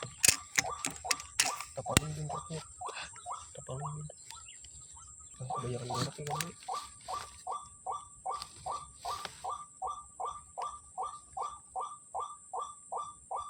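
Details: Sunday-morning white-breasted waterhens at Kepasar, numerous birds: a run of clipped mid-pitched notes, about two and a half a second, broken by sharp clicks early and a rough noisy passage midway, then resuming steadily over a constant high whine.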